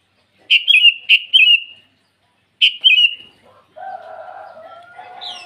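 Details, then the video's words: Sooty-headed bulbul singing vigorously in the morning to call rivals: three short bubbly phrases, each a bright note dropping into a fluttering trill, then a lower buzzy warbling sound fills the last two seconds. "Suara burung kutilang memanggil lawan di pagi hari"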